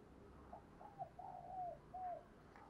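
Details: Spotted dove decoy calling to draw in wild birds, one faint phrase of gentle coos ending in a downslurred note, partly masked by low rumbling background noise.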